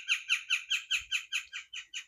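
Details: Gila woodpecker (Melanerpes uropygialis) in a Sonoran Desert garden in Arizona around sunrise on a hot day, giving a noisy, quick series of about ten harsh, squeaky notes, roughly five per second, fading toward the end.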